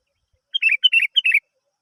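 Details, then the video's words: Sooty-headed bulbul song meant to coax other birds into singing: three rapid bubbly bursts, each a clear note running into a warbled, dropping double note, in clean silence. "Pancingan Burung kutilang"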